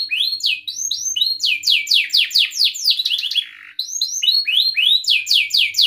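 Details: Canary in loud, continuous song, used to lure other canaries, especially young learners, into singing. A rapid chain of bright falling whistles runs several per second, breaks briefly for a lower rattling note, then resumes.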